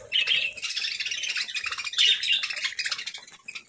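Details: A parakeet chirps and chatters during its morning breakfast feed, a quick run of scratchy, high squawks and tweets with two louder bursts close together.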